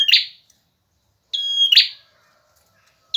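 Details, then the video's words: Male bar-winged prinia, an eager singer used for tutoring other birds: one complete phrase, a steady high whistle ending in a buzzy burst, framed by partial notes at the start and end, in otherwise quiet surroundings. "Suara burung prenjak jantan gacor"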